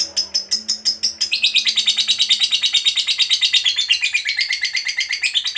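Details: Fighter lovebird delivering ngekek panjang, a long chattering trill: rapid, even pulses about six per second. Shrill, metallic notes slide gently lower over five seconds after a brief, higher-pitched opening stutter. A faint low hum sits beneath.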